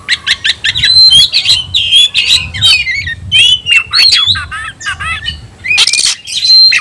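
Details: Captive white-rumped shama (kacer) calling an opponent to battle: rapid chattering notes, looping whistled slurs and a harsh buzzy burst near the end, delivered almost without pause.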